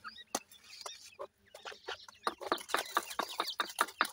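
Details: Dakhni teetar chicks, francolins from Punjab, Pakistan, produce a rapid string of louder, rough pulsed notes, about four to five per second toward the end, with faint high peeps earlier.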